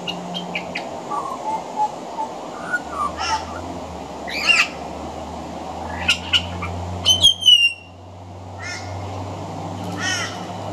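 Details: Male pied butcherbird on a veranda, song laced with imitations of other Australian birds: scattered short whistles and rasping, harsh chattering bursts, a sharp descending whistled note late on, with a low steady hum underneath.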